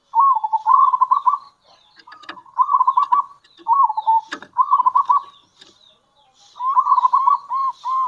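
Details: Lure calls of a local zebra dove in kerot and bekur style; five bubbling, stuttered coo phrases in quick series with brief pauses, each a rapid run of soft rolled notes, with a few clicks between.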